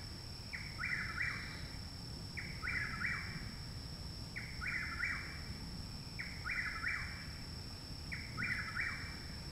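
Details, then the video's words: Chuck-will's-widow singing loudly very close to a home in Parkersburg, West Virginia, on 29 May 2019, a full month after arrival; five clear repeated three-part whistled phrases about every two seconds over steady low background hum. "Chuck Wills Widow Singing Loudly Very Nearby"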